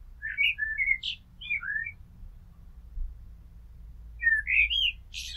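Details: Common blackbird delivering two separated song phrases. The first is a jumble of fluted notes ending in a falling whistle, and after a pause comes a rising mellow phrase with a high squeaky tail, over a low rumbling background.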